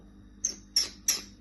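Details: A pet common myna (Acridotheres tristis), being coaxed indoors to talk, gives three short, harsh, high squawks about a third of a second apart, each with a thin whistled edge, in a quiet room.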